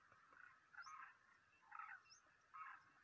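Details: Demoiselle cranes during their March 2023 migration: three harsh, rolling croaks about three-quarters of a second apart, with faint thin chirps higher up.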